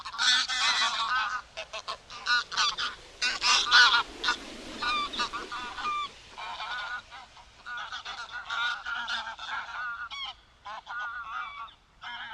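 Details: Greylag goose recorded in the wild: dense bursts of loud, nasal honks with rich harmonics, repeated in rapid overlapping series, some rising, fading slightly toward the end with short pauses between groups of calls.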